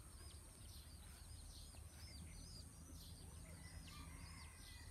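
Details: Bantam chicks out foraging with their mother peep constantly, with high, thin, down-slurred cheeps several times a second over a steady low rumble of background noise.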